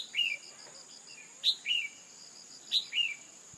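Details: Red-whiskered bulbul female call meant to excite a male into singing; sharp high note then a drooping chirp, three pairs at even intervals over a pulsing insect background.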